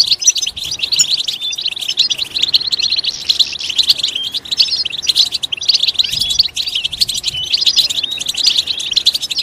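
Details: Goldfinch song used to encourage a goldfinch to sing: unbroken, busy high-pitched twittering and tinkling trills, steady in loudness throughout.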